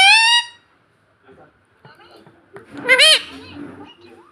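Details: Pet Indian ringneck parrot chick that speaks the word "mummy": a flat harmonic whistle opens, then a pause, low murmuring and one loud rising-falling arched call.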